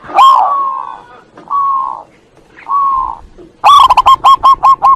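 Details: Zebra dove (perkutut) song from a masteran recording used to train other birds: three long, steady coos near the same pitch, then a fast run of short, clipped, hook-shaped coo notes at the end.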